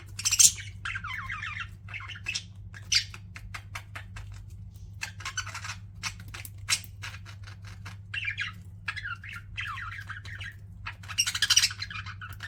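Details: Pet budgies chattering: bursts of raspy warbling and squawks at the start and end, with many brief scratchy ticks and chirps in between over a low background hum.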